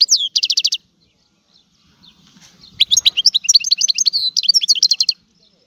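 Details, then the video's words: European goldfinch song: a brief buzzy rattle at the start, then silence, then a fast cascade of sharp, high, tinkling twitters lasting about two seconds. "تغريد الحسون"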